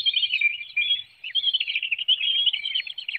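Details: Bald eagles at a webcam nest in Hanover, Pennsylvania, 9 June 2019 at 7:04 a.m., as a parent delivers a small fish and feeds one young while the other hops and flaps: continuous high, rapid chittering calls in quick runs.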